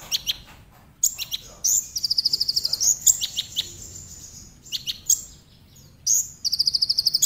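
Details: Tembakan song of a Brown-throated sunbird, used as a lure so other sunbirds start singing: sharp high whistled flicks and long rapid trills of evenly repeated bright notes, separated by short pauses.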